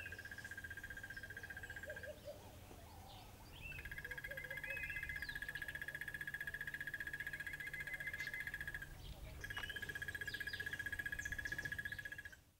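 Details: At Lower Sabie Rest Camp, Kruger National Park, a Crested Barbet gives long, even, mid-pitched trills like a muffled alarm clock, each running several seconds with brief pauses. Faint chirps from other birds and a low rumble are behind.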